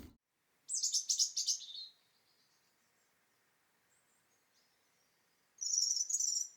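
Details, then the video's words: European robin singing a very rich, sweet song: high, wavering phrases delivered in quick warbling bursts, separated by pauses of several seconds. "So, the robin's song is very very rich, quite sweet song."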